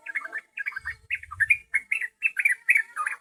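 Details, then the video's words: Yellow-vented bulbul song used as a lure for wild birds: bubbly, warbled phrases of short rich notes, repeated rapidly with brief gaps, with a low rumbling hum partway through. "Pancingan burung trucukan paling jitu"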